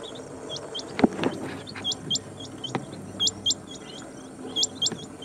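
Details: Rain quail (Coturnix coromandelica), call.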